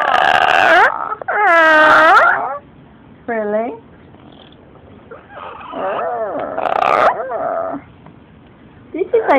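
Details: A talkative female yellow-naped amazon chatters in speech-like phrases and warbling squawks, trading bursts with a woman talking softly to her.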